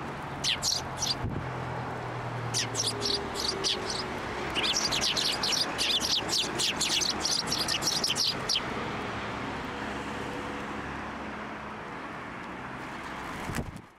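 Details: Sparrows flying onto a hand to be fed at a Tenmangu shrine on 18 January 2024; bright chirps come in short bursts, thickening into dense chatter midway, then fading, over a steady low hum.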